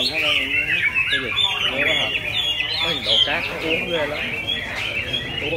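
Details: Freshly moulted Chinese hwamei in day-long song: a continuous, bright, high warble of twisting whistled notes and quick trills, with people talking softly in the background.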